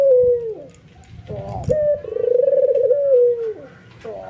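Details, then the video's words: Albino white ringneck dove, captive, excited and setting other doves cooing: one short falling coo, then a longer rolling, trilled coo that swells and sinks, with a thud and a new coo beginning at the end. "SUARA BURUNG PUTER PUTIH ALBINO FULL NGANGGUK EMOSI BIKIN PUTER LAIN TERPANCING IKUTAN GACOR"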